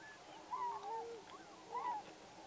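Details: Tundra swans at Pocosin Lakes National Wildlife Refuge in north-eastern North Carolina in November 2017; a few birds give soft, mellow, bugling calls that rise and fall, two main calls about a second apart, with fainter calls underneath.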